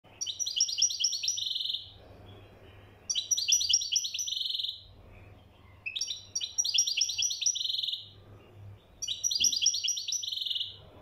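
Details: Moroccan European goldfinch singing: four bursts of rapid, bright twittering and trilled phrases, each about two seconds long, separated by short pauses, over a faint low steady hum.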